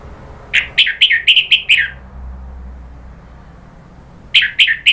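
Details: Orange-headed thrush in rapid agitated chatter: about seven harsh, buzzy notes delivered quickly, a silent gap, then another fast burst of the same notes.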